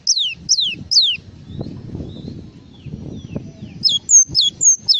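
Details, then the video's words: Java sparrow singing a full song: high thin chirps that slide steeply downward, given in quick groups of three or four, with a soft low rumbling noise underneath between the phrases. "SUARA BURUNG GLATIK FULL ISIAN"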